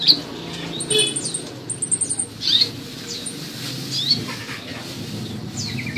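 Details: A captive Olive-backed Sunbird in song training gives thin, sharp, high-pitched chirps and short twittering trills at an irregular pace, over a low background hum.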